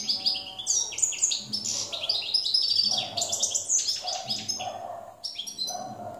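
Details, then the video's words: Goldfinch song from 2017, a jilguero campero: continuous high, sparkling twitters and buzzy trills, with fainter lower tones beneath at intervals. "jilguero campero 2017"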